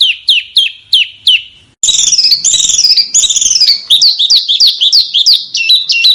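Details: Small bird master recording for cage birds, sharp 'tembakan' style: several spaced downslurred whistles, then a dense, loud chattering trill and rapid varied twittering notes.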